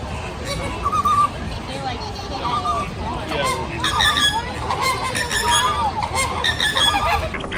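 A flock of flamingos gives nasal, goose-like honks that overlap and grow busier. A murmur of human voices runs underneath.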